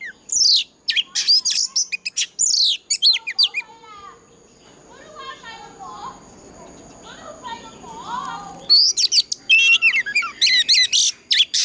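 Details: Oriental magpie-robin, old wild-forest style fighting song meant to provoke other birds into singing. Bright whistled slurs and buzzes open, a quieter murky stretch of low chatter-like sound follows midway, then loud varied phrases return.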